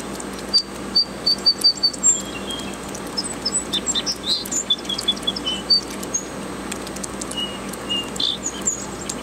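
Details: An unidentified bird singing outdoors: a series of thin high whistled notes repeated rapidly, then varied chirps and twittering phrases, with other faint bird calls and a steady background hum.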